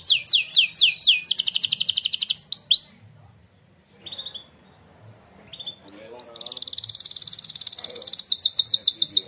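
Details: Winning contest canary giving a training song: rapid descending rolls and a fast buzzy trill, a quiet stretch with a few isolated notes, then another long high rattling trill.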